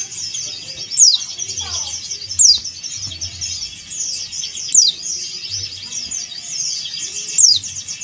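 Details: Calling a rival, a male Bali yellow-breasted white-eye gives four crisp falling whistles at irregular intervals against a continuous wash of high, thin twitters.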